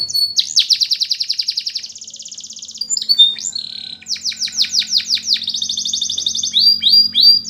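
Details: Canary training song: long fast trills of repeated notes, a swooping whistle, then a string of loud falling notes and further rapid rolls, with a soft low hum in the background.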